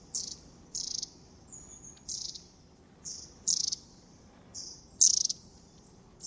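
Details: Wild long-tailed tits in January in Moscow Region, Russia, uttering short very high buzzy bursts, sometimes doubled, repeated irregularly about every half second to second, with a few thin sliding whistles between.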